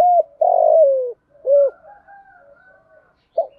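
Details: Female spotted dove calling to lure wild males, 'giọng thổ pha' style with one ending note. A long falling coo is followed by an arched hoot, a faint trailing murmur and a short note at the end.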